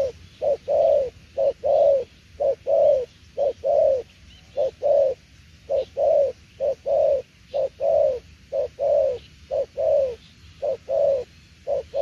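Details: Spotted dove repeating a 'đồng tiểu liên nước' coo for a long run: deep, soft short notes followed by longer downward-sliding coos, a steady cadence of about one pair per second, faint chirps far behind.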